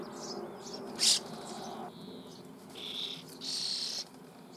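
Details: Common starling chicks begging during feeding in a nest cavity near Büchel, Eifel, Germany: a sharp loud burst followed by two longer, hoarse, wheezy rasps.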